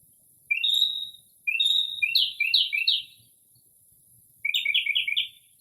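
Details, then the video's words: Northern mockingbird singing late at night in early spring outside a home, mimicking various birds' calls: loud, bright phrases with rising slurred notes, then quick repeated upslurs in bursts of three or four, in a quiet setting without urban noise. "Northern Mockingbird Mimics Different Bird Calls"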